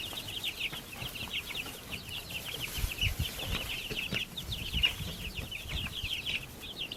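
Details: Backyard baby chickens chirping nonstop, many high, quick peeps overlapping in a steady busy chorus, with faint low rustling and shuffling underneath.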